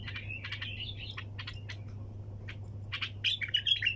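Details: Bulbul singing in the style known as 'tour sayyad', with 'tak janah' phrases: bursts of bright chirps and warbled notes, then a louder run of sharp whistled phrases near the end, over a steady low hum.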